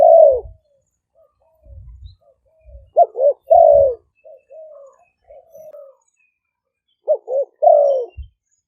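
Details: Lure recording of decoy spotted doves in Roi Et, Thailand: a long falling coo, quiet murmured notes, then phrases of two brief notes and a drawn descending coo, repeated twice.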